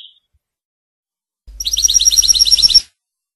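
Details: Goldfinch from Tunisia singing Rasta Torka style, a brief note then a fast, regular trill of about a dozen sharp, bright repeated notes over a low background hum.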